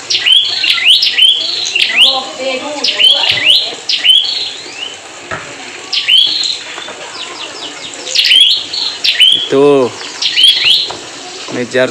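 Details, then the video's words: A prinia, bought at a bird market and an active singer, gives loud, sharp, high chirps in quick repeated bursts, about one every half second. A brief lower, nasal note and faint rustling come near the end. "Beli burung prenjak di ombyokan,dapat yg gacor"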